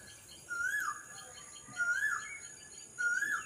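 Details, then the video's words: An Asian koel perched in a tree sings in the morning, clear rising whistled notes about every second and a quarter, over a steady thin high-pitched drone. ">> কি সুন্দর কুকিলের গান শুনুন"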